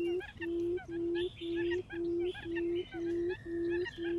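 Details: Lure call for attracting quails: an evenly spaced run of low, level hooting notes, about two each second. Soft, higher bird chatter sits faintly behind them.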